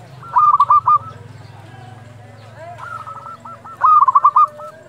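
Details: Local zebra dove calling at dusk as a lure for training other doves: short rattling bursts of quick, mid-pitched coos, repeated after a pause, with a low droning hum beneath.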